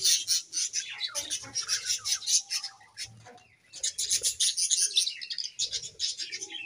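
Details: Budgerigars pairing produce rhythmic bursts of harsh chirps and warbling chatter, dipping to near quiet around the middle before the squeaky twittering resumes strongly.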